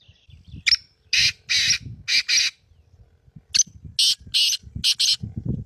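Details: Black francolin calling: loud, harsh grating notes in two rhythmic series of about five bursts each, with low rumbling background noise.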